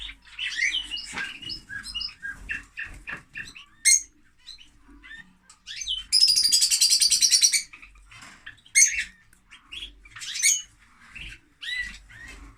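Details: Lovebirds, described as very noisy, chattering in captivity: rapid high-pitched chirps and squeaks in dense bursts, with a loud buzzy rattling trill in the middle and sharp shrill notes around it.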